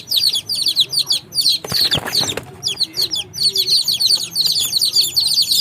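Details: Many baby chicks peeping together in high, rapid, overlapping chirps; a brief burst of scratchy rustling noise near the middle interrupts the steady farmyard chorus.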